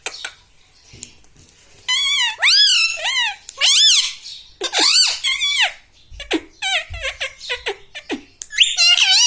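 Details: Pet parrot talking in a small room, mimicking mummy, papa and radhe radhe; long series of loud, nasal, arching syllables in phrases, with brief gaps and clicks.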